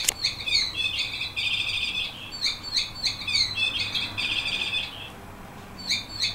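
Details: Yellow canary, a 15-year-old senior bird described as a whistler, sings repeated phrases of sweet, warbled whistles and rolling trills broken by short pauses, against steady background hiss.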